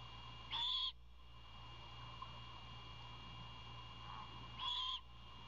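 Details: Owlet requests food while its parent brings a meal, giving two breathy, rasping screeches about four seconds apart against constant low electrical hum and hiss.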